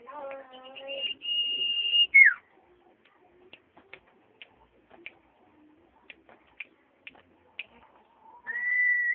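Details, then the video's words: Common iora song: a long, steady, high whistle ending in a quick downward slur, preceded by a lower harmonic note and followed by sparse ticks, then a rising whistle that levels off at the end. "burung cipoh"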